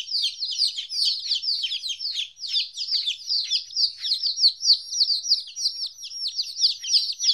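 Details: Two-week-old baby chickens separated from their mother, a continuous clamour of piercing descending peeps from many chicks, rhythmic and unbroken.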